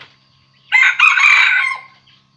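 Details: A decoy red junglefowl cock crows to draw wild roosters: one loud, raspy crow lasting about a second, broken into a short opening burst and a longer strained tail, in a quiet setting.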